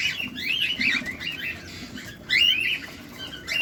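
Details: Cockatiels at feeding time, close up: a warbling run of chirps, a pause, then a louder burst of rising, harmonic notes.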